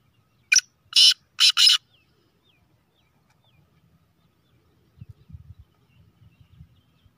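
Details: Black francolin (kala teetar), named a speeder, chakri wala bird, gives four loud harsh buzzy notes in quick succession, the first short. Faint low rumbling and knocking follow after a pause.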